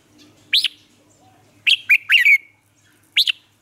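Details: Lure song of a Red-whiskered bulbul from Vietnam, meant to train caged bulbuls' voices. A single sharp upslurred note, then a chattering three-note phrase ending in a drawn-out falling whistle, and one more clipped note.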